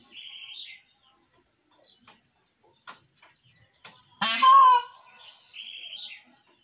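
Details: Frightened captive peacock screaming in the early morning: one loud, harsh, harmonic-rich wail lasting about half a second, with faint small chirps from other birds before and after.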